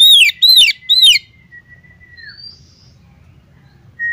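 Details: Three loud, grating, descending notes from a female Oriental magpie-robin calling a male, then a drawn-out flat whistle with a thinner, higher rising whistle; a short whistle restarts at the close.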